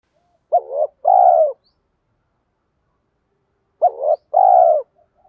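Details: Spotted dove used as a decoy caller to draw wild doves: two identical low phrases about three seconds apart, each a short rising-falling hoot pair leading into a longer mellow coo, silence between.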